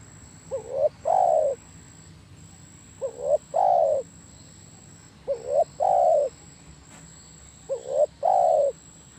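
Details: Spotted dove cooing: a soft two-part phrase, a short rising note and then a longer, fuller coo, repeated about every two and a half seconds, four times, with a steady faint high electronic whine behind it.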